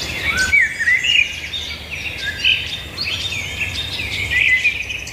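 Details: A chorus of wild birds, with overlapping high whistles, quick slurred notes and continuous twittering, loudest near the start and the end.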